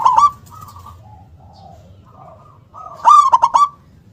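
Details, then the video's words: Loud local zebra dove singing in the forceful 'kung' style: quiet broken coos, then a strong burst of staccato coo notes ending in a brief trill. "perkutut lokal gacor suara besar nyentak KUNG power kencang"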